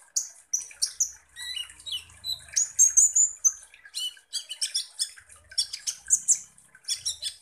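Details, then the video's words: Kolibri ninja sunbird in full song, used as a provoking lure: dense, rapid high-pitched chirps and twitters with brief whistled phrases, nearly continuous for seven seconds, with faint low rumbles beneath. "KONIN Langsung EMOSI dan NGOBRA dengan PANCINGAN kolibri ninja GACOR ini"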